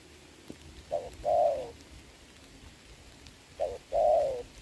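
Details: Somewhat fainter Spotted dove during a rainy trapping match, 26 November 2022: two paired coos, a short hoot and a longer falling one, separated by a long pause.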